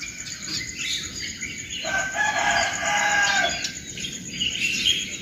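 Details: Morning birdsong: high scattered chirps and twitters over a constant high insect whine, while a rooster gives a loud drawn-out crow in the middle.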